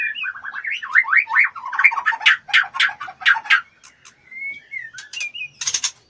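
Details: Female white-rumped shama in breeding condition, fluttering her wings and soliciting mating: a rapid run of warbling, looping whistles breaks into a string of loud, harsh rhythmic notes, then soft sliding whistles and a final scratchy burst.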